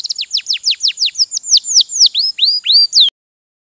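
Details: A series of clear, high downslurred whistles from a domestic posture canary, each about a quarter second long, ending abruptly.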